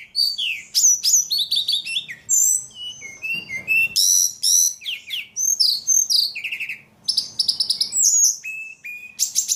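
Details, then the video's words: A pet ledekan in full, vigorous song, pouring out a dense, nearly continuous string of shrill whistles, sweeping slurs and quick chattering notes at a very high pitch. "Burung ledekan paling gacor"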